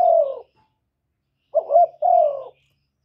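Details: Spotted dove cooing to stir caged decoy doves into calling: a low, smooth coo, a pause, then a short broken double note running straight into a longer falling coo, all clean with no background sounds.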